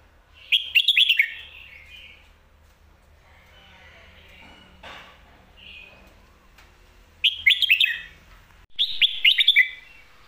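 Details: Professional competition Red-whiskered bulbul in Thailand alternating lak wai and mae bot song styles: three loud, quick bursts of warbled, slurred whistles, separated by several seconds of quieter notes and faint background sounds.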